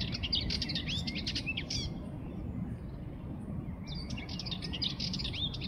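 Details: Sardinian warbler giving a harsh, stuttering phrase of rapid notes, falling silent for about two seconds, then starting another scratchy chatter, with constant low-pitched noise behind.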